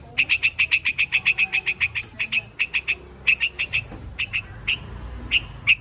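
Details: A white-headed bird calls to gather its flock with quick, sharp chips that come in a brisk series, then thin out into slower, spaced notes.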